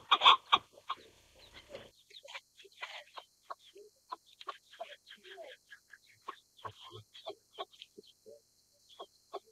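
Chukar partridge opening with a few loud, harsh notes, then a long irregular run of short, dry clucking chuk notes.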